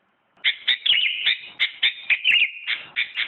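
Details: Sooty-headed bulbul, the first-place winner of a 2017 contest, singing a quick run of bright whistled notes that slur up and down, broken by short gaps, with no other sounds heard.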